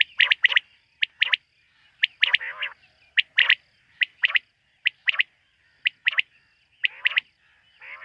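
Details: Quail heard at night: steady series of sharp paired chirps, roughly one group per second, with occasional short raspy notes mixed in and no other sounds.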